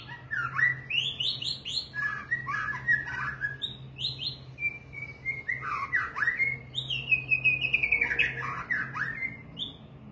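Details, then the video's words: White-rumped shama (Copsychus malabaricus) sings rich, varied phrases of rising and falling whistles, slurred notes and short chatters, with a steady low hum beneath. "murai batu ekor panjang"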